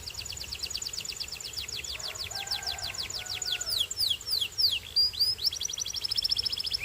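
A Belgian canary sings a long run of rapid, high, bright trills, rolling through several tours that shift speed and pitch with barely a pause.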